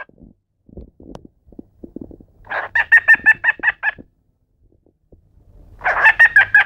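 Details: Male pet cockatiel laughing: soft scattered clicks, then a quick run of about ten hoarse, chuckling pulses, a pause, and another burst of rapid laugh-like notes.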